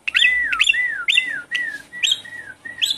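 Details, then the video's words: Javan pied starling (jalak suren) singing as a lure for a bird that has gone quiet: clear whistled notes that drop in pitch, each with a sharp buzzy onset, given in a quick run of about six phrases. "Suara pancingan burung jalak suren macet bunyi"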